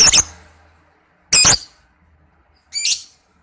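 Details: Lovebird calls used as a lure for trapping birds: three harsh, very high squawks, each a short grating burst, spaced more than a second apart with quiet between.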